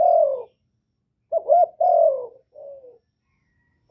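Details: Spotted dove cooing loudly, played to trigger song in kept doves: a long falling coo, a pause, then a quick double note, another drawn-out coo and a softer trailing one.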